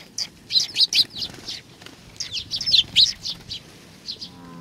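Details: Several sparrows gathering to be fed at Tenmangu, Nakanoshima, on 21 June 2020, giving clustered bursts of sharp high chirps with brief gaps, then quieter single notes; faint low rumble beneath.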